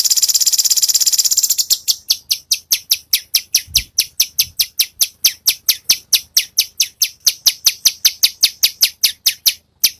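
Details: Cucak cungkok besetan-style master song for training competition songbirds: opens with a dense, buzzy, rattling burst, then a long even series of sharp high chipping notes, about two to three per second, with a faint low thump midway.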